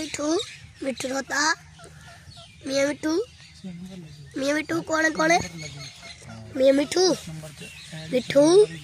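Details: Pet rose-ringed parakeet talking alongside a raw parrot, giving short harsh speech-like syllables with sharp rising, nasal inflections in bursts, separated by pauses, over a steady low hum.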